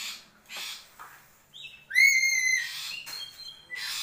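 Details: Black-capped lory, a parrot from Papua, gives a loud, harsh, rising screech rich in overtones, between shorter broadband squawks and hissy bursts.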